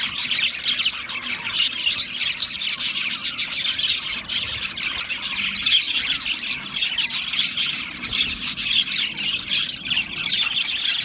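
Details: A group of Australian parrots keeps up a lively, unbroken chatter of fast high chirps and occasional scratchy squawks, with bursts of louder notes near the start.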